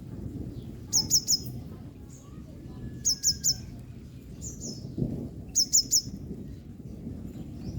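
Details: A yellow-bellied sunbird drying itself after being drenched in rain gives quick bursts of three high, thin chips, repeated every two to three seconds, over a low background rumble.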